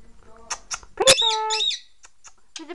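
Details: Cracker, a 13-year-old male Indian ringneck parakeet, a rescue from neglect said to screech constantly and be unsocial, talks in a high, buzzy, clipped voice: a few short syllables, then a longer nasal phrase with a steady tone.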